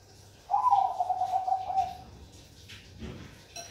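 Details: Bangkok perkutut, the zebra dove, delivering a single cooing phrase lasting about one and a half seconds: a sharp initial note followed by a quick, bubbling, slightly descending trill, then a soft clink and low background hum.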